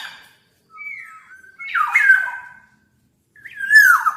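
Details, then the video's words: Black-naped oriole, described as a very lively singer: two short fluty whistled notes, then harsh, nasal, downward-sliding squawks with rich overtones, one at about two seconds and another near the end, separated by silence. "Burung Kepodang Super Gacor"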